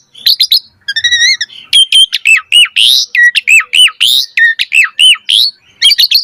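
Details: Asian pied starling song used as a training track to get caged birds singing, full of varied phrases: rapid chirps, a wavering harmonic whistle, then a run of sharp repeated up-and-down notes and buzzy squeaks, loud and close.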